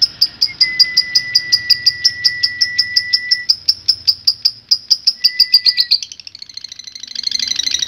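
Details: Lovebird in a long ngekek song meant for training: a rapid train of shrill high clicks and chirps repeated steadily, with a thin steady whistle beneath for several seconds, ending in a denser scratchy chatter.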